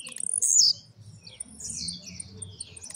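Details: A Blue-black grassquit, a captive bird coming out of moult, gives one sharp, high, buzzy burst lasting about half a second, then softer high notes, over a low background hum.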